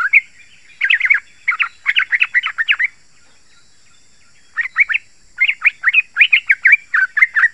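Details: Yellow-vented bulbul song played to draw in wild bulbuls in forest or garden and set caged birds singing: dense bursts of quick liquid chirps, a pause of over a second, then another lively run.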